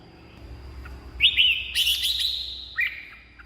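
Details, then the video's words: Red-whiskered bulbul singing, played to lure wild birds or excite caged birds: one long, rich phrase of rolling, liquid whistles, followed by a short chirp, over low background rumble. "เสียงนกกรงหัวจุก สำหรับต่อ หรือ เปิดให้นกคึก เสียงเพราะๆ"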